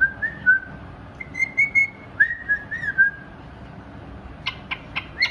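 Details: Pied cockatiel sings clear, warbling whistles that slide and waver, ending with a few sharp chirps.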